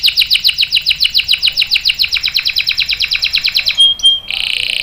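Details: Long-rolling canary singing for use as a tutor: a rapid string of downslurred notes, about six per second, then a thin whistle and a steady buzzy trill.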